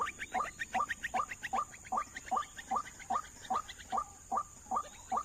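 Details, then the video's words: In an oil palm plantation where birds are being lured for trapping, white-breasted waterhens give a rapid, even series of harsh rising notes, about thirteen in five seconds, each ringing with bright overtones, against a quiet hissing background. "Mikat ruak ruak di ladang sawit yang belum pernah di pikat"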